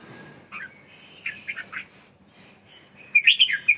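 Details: Red-whiskered bulbul giving a few slurred whistled notes, a quiet gap, then a loud, bright burst of rapid chirpy phrases at the end, over a soft steady background hum.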